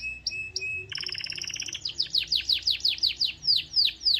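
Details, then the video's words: Canary song used to spur other canaries into singing: a few clear whistles, a rapid rattling trill, then loud repeated descending swept notes, roughly three per second. "UNSTOPPABLE Canary ❗STIMULANT❗ Fast RESPONSE In 30 Minutes"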